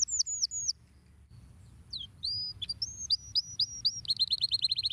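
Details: Canary singing a long, varied song: quick high whistled slurs, a short pause, steady clear whistled notes repeated about twice a second, then a fast rattling trill at the end, with a low background hum.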